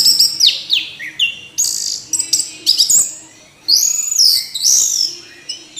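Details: Orange-headed thrush singing a dense medley of quick high whistles, down-slurred notes, harsh chatters and bright trills, phrases following one another almost without break.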